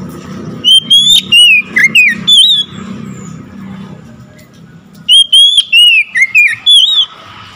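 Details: Oriental magpie-robin singing loudly in response to hearing another magpie-robin: two bursts of sharp whistled notes and slurs, each about two seconds long, over a low rumbling background.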